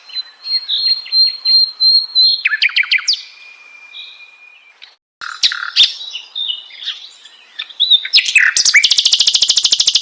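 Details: Sikatan londo flycatcher singing. A high steady whistle is broken by short notes, then a fast buzzy burst, a thin level whistle and scattered loud chips, ending in a harsh, very rapid rattling trill.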